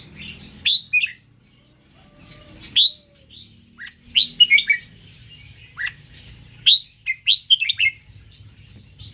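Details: Indonesian-strain red-whiskered bulbul singing clear sharp chirps and short rising whistles, some grouped into quick two- and three-note phrases, spread irregularly across the recording over a faint low hum.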